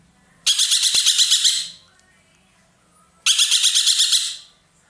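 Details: Two loud, raspy, rattling bursts from a roller kept in Indonesia as a tutor bird for songbirds. Each burst has about eight quick pulses and lasts just over a second, with a quiet gap of about one and a half seconds between them.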